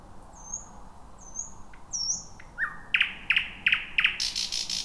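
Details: Thrush nightingale song recorded at night in 2026 among dense bushes: high slurred whistles, then loud evenly spaced clicking notes, ending in a rapid buzzy rattle, with a soft background hiss.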